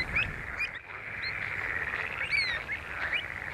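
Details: Pied avocet at Skanör and Falsterbo, June 2015: a few scattered, clear piping notes, one longer and slightly falling, set against a continuous murmur of distant birds.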